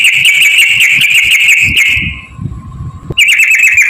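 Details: Yellow-vented bulbul singing a fast trilling fighting song used to stir other bulbuls into song: a continuous warbling trill holding steady, fading out for about a second amid low rustling, then resuming at full strength.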